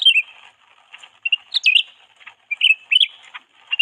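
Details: Lure canary used to draw in birds of its own kind, calling in clipped, high chirps and quick rising twitters, grouped in short clusters separated by pauses.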